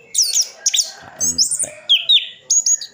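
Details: Caged orange-headed thrush in Sidoarjo, East Java, singing its full filled-in song: sharp high chips, downward-slurred whistles and quick varied phrases, with a brief low rattling noise in between.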